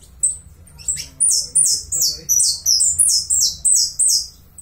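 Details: Uruguayan saffron finch opening with scattered sharp chips, then a steady series of loud, high, buzzy down-slurred notes about three per second, with a quiet background hum.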